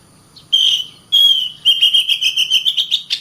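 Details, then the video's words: Caged Oriental magpie-robin in continuous song, played to train others to sing and fight: two long pure whistles, then a brisk series of repeated notes slowly rising toward the end. "BURUNG KACER GACOR RAPAT,dijamin KACER MALAS BUNYI DAN SUSAH EMOSI BAKALAN GACOR DAN TARUNG"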